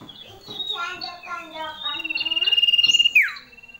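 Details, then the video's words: Female common iora giving a loud, ringing call: a steady high trill of rapid even pulses lasting about a second, ending in a sharp downward slur, preceded by lower, harmonic-rich murmuring sounds. "BETINA GACOR // SUARA SIRTU SIRDUM SIRDUNG CIPOH CIPOW NYARING"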